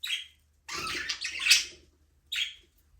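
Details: Budgerigars in a small aviary, chirping freely. A short chirp, then a longer scratchy chattering warble, then another brief chirp. A faint low hum runs underneath.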